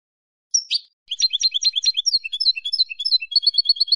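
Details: Jilguero (European goldfinch) singing as a model for young learner birds: one shrill opening note, then a continuous fast jumble of twittering, liquid trills and clipped chirps, ending in a quick even series of repeated high notes.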